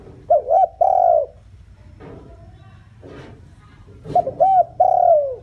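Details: Decoy spotted dove calling to attract wild doves. Two cooing phrases, each a quick double note then a long falling coo, are separated by a pause with faint rustling noises.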